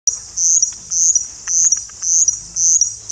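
Russet bush warbler giving a high, dry, insect-like buzz in short bursts, nearly two per second, with a few faint ticks behind.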